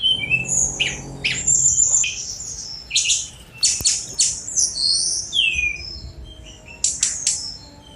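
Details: A Sunda robin delivers a rapid string of high chips, buzzy notes and descending whistled slurs in repeated bursts, with a loud click midway and a low hum beneath.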